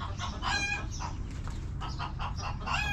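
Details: Hens in a backyard coop cluck in quick, broken bursts, several birds overlapping in a restless, chattering murmur.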